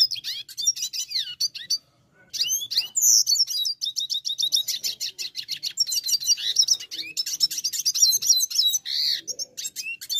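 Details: A brown dilute red siskin, singing actively, gives a fast, continuous twittering song of high, buzzy trills and chattering notes, broken by one brief pause near the start.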